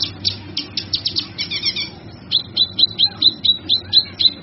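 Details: Male kinoy song used as a training model for other birds: fast bright chirps, then a run of sharp high whistled notes repeated about twice a second, over a low steady hum.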